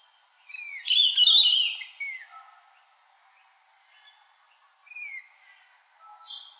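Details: Australian pied butcherbird singing: a brighter, higher burst of rich warbled notes near the start, followed by sparse, soft, descending whistles separated by pauses, in an otherwise quiet setting.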